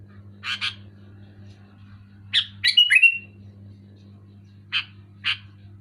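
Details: Sooty-headed bulbul singing loudly and clearly: paired harsh chirps, a bubbly whistled phrase with a downward slur, then two more spaced chirps, over a steady low hum.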